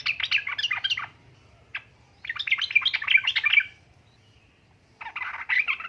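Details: Lure call of a female yellow-vented bulbul summoning a male: quick, jumbled chattering phrases in bursts of one to one and a half seconds, broken by brief quiet gaps, with a low hum underneath.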